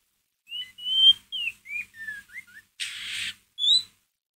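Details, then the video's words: Ngeriwik phrase from a White-rumped shama used to provoke a pet shama: string of clear slurred whistles stepping lower, a broad hissing burst, then a final high whistle. "MURAI BATU PASTOL NGERIWIK COCOK BUAT PANCINGAN EMOSI MURAI ANDA"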